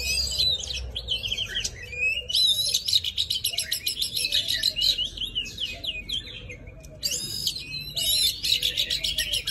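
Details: Forest-style song of an oriental magpie-robin, used for trapping and voice-training young birds: bursts of sharp, varied whistles and fast chattering phrases with brief pauses, plus a faint lower repeated note beneath.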